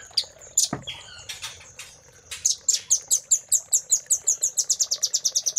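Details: Velvet-fronted nuthatch master song for training caged birds: scattered sharp, high chips and a short whistle, then an accelerating series of crisp, high chirps, about five per second by the end.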